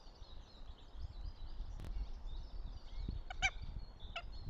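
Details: Northern goshawk at its nest in Tartu, Estonia, on 26 April 2025, giving a few short, harsh, nasal calls near the end, with faint small-bird song and low rumbling noise behind.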